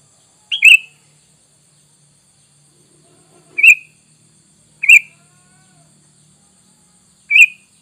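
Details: Sooty-headed bulbul calling in a lure recording for attracting wild bulbuls: four short, sharp chirps spaced irregularly, one to three seconds apart, the first doubled, with near silence between.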